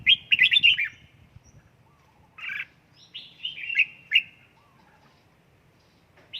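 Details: Red-whiskered bulbul in a home training session for fiery singing form delivers loud, fast warbled phrases, a burst of buzzy notes, further chattering runs and one last high chirp, with quiet thumps beneath.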